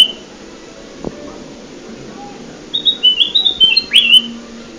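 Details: Trapping lure of the kutilang emas, a golden bulbul: after a quiet start, a single phrase of bright whistled notes descending in steps, finished by a rising then falling slurred note, over low steady hum.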